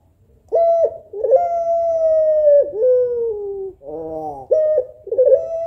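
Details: African collared dove of the puter pelung type, a female calling the male: short clipped coos lead into a very long level coo that dips and trails off, then a nasal buzzing note and more clipped coos.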